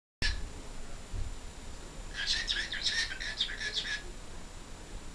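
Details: A pet cockatiel at its peak talking time gives a quick run of bright, squeaky chirps and chatter over a low indoor rumble.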